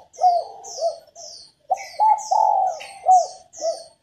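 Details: Female spotted dove, whose call is used to get males singing, gives clean, rounded coos, one long and drawn out, with sparse high whistled chirps from a small bird.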